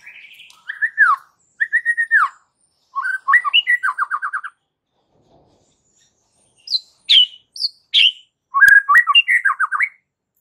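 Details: White-rumped shama in agitated fighting song used as a master: short phrases of quick slurred notes in rapid bursts, a pause, then higher sharp whistles and another dense run of rolling notes.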